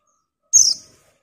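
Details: Single loud, high, slightly falling chirp from a female white-eye calling for a male.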